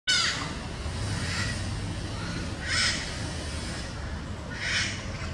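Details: Parakeets in São Paulo, Brazil, giving harsh, raspy squawks in three bursts about two seconds apart, set against a constant low rumble of city traffic.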